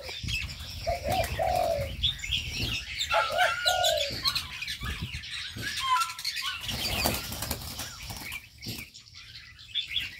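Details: Birds in an aviary: a few low coos early on, then mostly high, scratchy chirps and whistles with frequent wing flapping and thumps.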